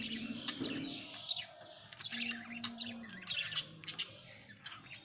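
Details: Several budgerigars at home give soft, scattered chirps and warbles, with a low steady droning tone in the background.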